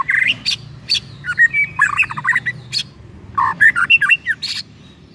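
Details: White-rumped shama singing as a trigger for another shama: two energetic bursts of mixed chattering, whistled and squeaky notes, tumbling rapidly, separated by a short pause.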